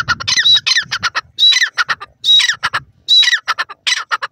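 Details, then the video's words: Dakhni teetar, a grey francolin, giving loud grating calls: rasping squawks with a whistled tone, each trailed by a burst of short clipped notes, the phrase repeated roughly every 0.8 seconds. "dakhni teetar ke awaz,dakhni teetar ki voice"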